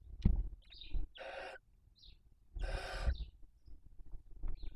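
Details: Barn owls at a nest in Cabañeros National Park, where a female feeds on the body of the smallest of six chicks, which died. Two long, harsh, broadband hissing bursts alternate with short, high, thin chirps and soft rustling.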